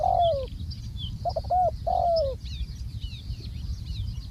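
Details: Ground-placed decoy spotted dove giving a long falling coo, then a quick pair of short coos and another drawn-out coo, while small birds chirp and twitter continuously at a higher pitch.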